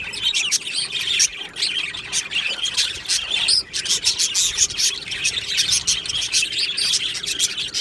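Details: Aviary full of budgies, 22 June 2025, producing quick staccato chirps and buzzy warbles that pile over one another, a brief lull near the middle before the chatter resumes.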